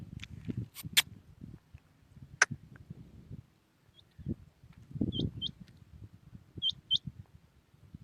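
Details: Common quail singing in the early morning in Pakistan: short high notes in quick pairs, a little over a second apart, among scattered clicks, sharp taps and a low rumbling background.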